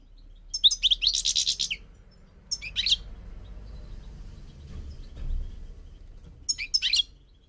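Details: Goldfinch on migration giving a dense, fizzy twitter of high notes, then two shorter chirpy phrases with a pause between. A low rumble of background noise runs underneath.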